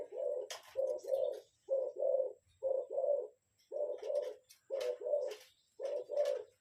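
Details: Spotted dove lure call in a rhythmic series of paired low coos, each pair about a second apart, with faint clicks and a thin steady tone in the background.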